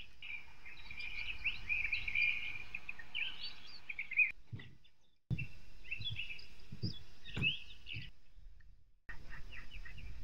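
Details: Osprey pair at their nest in Kurzeme, Latvia, 23 April, in wind and rain with wet snow; a run of high, squealing whistled calls, then scattered chirps among low thumps and gusty wind noise.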